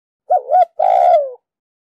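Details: Hen spotted dove calling to rouse males, with chiêu, thúc and gù patterns: a brief quavering double note, then a drawn-out, mellow coo that slides downward at the end. No other sounds.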